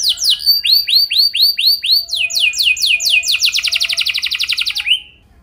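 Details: Canary performing a luxurious lure song that prompts other canaries to sing: arched rising notes repeated steadily, then an accelerating rattle of short syllables that ends abruptly.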